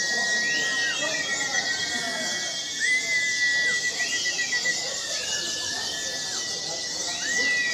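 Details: White-eye kept as a pet, singing strongly despite lacking half its wing feathers. A rapid, unbroken stream of high chattering twitters runs throughout, with looping whistled slurs repeating about every one to two seconds.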